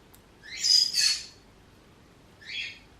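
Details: Pet green-cheeked conure giving a low hum growl, a sign of relaxing and contentment or curiosity, such as when exploring a toy or cuddling. Two harsh, raspy bursts come close together, then a shorter burst follows after a pause.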